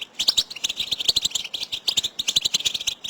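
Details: Group 'batbata' calling of goldfinches, calls the birds use to signal their location to each other for mating: fast, bright, tinkling twitters and short buzzes in an unbroken overlapping stream.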